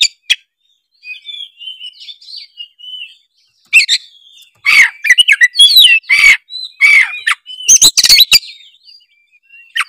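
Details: Oriental magpie-robin in sustained song, meant to prompt other magpie-robins to sing: quiet soft whistles at first, building into loud rapid sequences of varied clear and harsh notes that run almost without pause.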